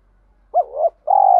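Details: Spotted dove cooing for luring and training: a wavering low coo followed immediately by a steady, buzzing drawn-out coo, cut off abruptly.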